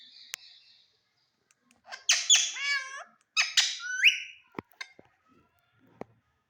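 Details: Indian ringneck parrot talking in front of a mirror indoors: two loud bursts of raspy, wavering, speech-like chatter with falling and rising slides, followed by several sharp clicks and taps.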